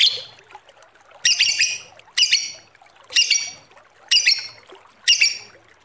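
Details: Lovebird giving a long ngekek trill used as a lure: harsh, buzzy chattering bursts about half a second long, repeated roughly once a second, loud and clear with little background.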